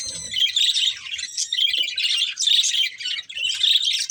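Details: Pair of breeding budgerigars giving rapid high twittering chirps in repeated bursts about once a second, a faint low rumble at the start.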